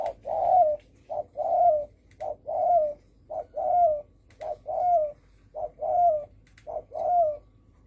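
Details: Spotted dove cooing thổ sấm style to provoke other birds. Regular short-long pairs of mellow coos, each long note slurring downward, repeat about every second over quiet background.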